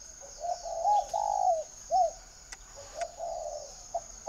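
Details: Spotted dove kept by a breeder in northern Vietnam giving a run of soft, low coos, a long throaty phrase then short clipped notes, with a faint steady hum behind.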